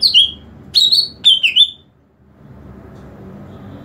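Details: Greater green leafbird calling to lure other green leafbirds: a quick run of high, harmonic-rich whistled notes, falling and slurred, in three bursts within under two seconds, then only a low background hum.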